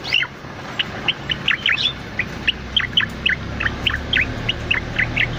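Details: Cucak loreng bulbul singing busily, recording meant as master or lure sound for cage birds: clear, short, bright notes repeated about three times a second in an even series, with a faint low hum behind.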